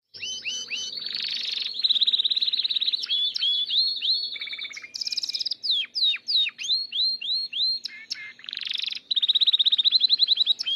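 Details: Male Gloster canary beginning to come into breeding condition, singing a continuous varied song of rapid rolling trills, repeated upslurred whistles and buzzy runs, with a faint low hum behind.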